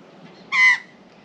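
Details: Angry female Australian magpie on a balcony rail objecting to a cat: one loud, strident, harsh squawk with a steady nasal tone, brief and abrupt against quiet background.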